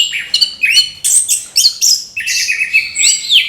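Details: Orange-headed thrush in morning song, a continuous tumbling stream of high, bright whistles and quick slurred notes, densely packed with scarcely a gap.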